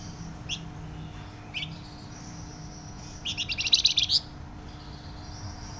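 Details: Flamboyan bird in full loud, tightly packed song: two separate rising chips, then a quick burst of bright high notes in a fast stuttering series lasting about a second, with a faint high whistle afterwards.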